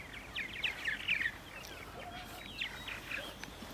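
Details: Purple martins on April 14, 2012, at 8:30 AM in Center Moriches, Long Island: a brief burst of buzzy, gurgling chatter in the first second, then scattered fainter chirps over quiet background noise.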